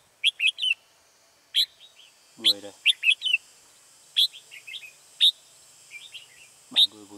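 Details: Red-whiskered bulbul decoy during trapping on 14 October 2018, singing to lure wild birds: quick clusters of sharp, bright whistled notes in uneven bursts, a man's brief speech twice and a steady background hum.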